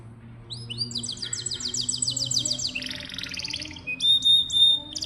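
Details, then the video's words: Canary song serving as tutor material for young canaries and other birds: dense buzzy trills of fast pulses, a rasping rattle, then loud clipped high whistles near the end. "Suara burung kenari bikin hati senang, dan masteran burung kenari muda dan jarang bunyi"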